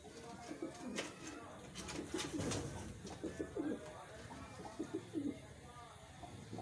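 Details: Wild pigeons kept and reared by a keeper, cooing indoors: low, throaty coos in short bursts, repeated throughout, with clicks, rustling and a few sharp knocks in the room.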